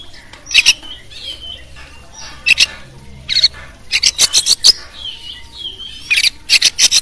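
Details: Oriental magpie-robin of champion class, recorded as a training tutor for songbirds. Bursts of harsh, chattering notes alternate with short whistled phrases, and the rasping series repeat several times.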